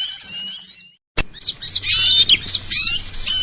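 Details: Noisy bird calls used as a lure for trapping small birds: a dense, loud jumble of high chirps, twitters and buzzy notes from several birds, starting with thinner whistled notes before a sharp click and a busier chorus.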